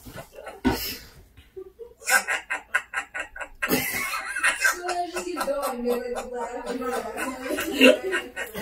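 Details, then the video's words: A parrot after a vet visit is set laughing by a person. It gives a run of rapid, breathy 'ha-ha-ha' bursts that turn into drawn-out, voice-like chuckling syllables, closely copying human laughter. "A PARROT LAUGHING"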